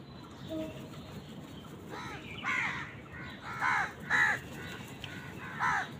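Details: Crows fighting other wild birds for food utter a run of coarse, rasping caws, mostly single and a second or so apart, the loudest near the end.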